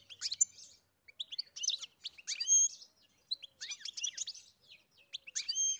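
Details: European goldfinch singing on a farm: a quiet, lively twittering song of quick tinkling chirps, trills and short buzzy notes, given in several bursts with brief pauses between them.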